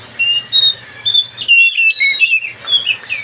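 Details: Song of an Oriental magpie-robin (kacer), played to rile up another bird: loud, varied whistled phrases with sweet sliding notes and quick twitters, almost continuous, with a low hum in the background.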